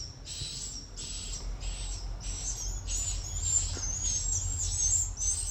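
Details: Swiftlet calls: high, buzzy chirping bursts, each about half a second long, repeated steadily around every two-thirds of a second, over a low rumbling hum.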